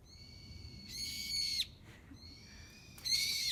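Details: Kamakura bird calls: sustained whistled notes with strong overtones, each swelling into a louder, harsher ringing burst before cutting off, heard twice against a quiet background.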